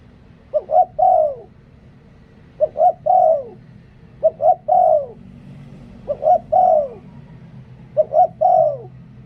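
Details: Decoy spotted dove repeating its liu tan song five times: each phrase a clipped coo, a brief upturned note and a long downward-sliding coo, about two seconds apart, with a faint low drone underneath.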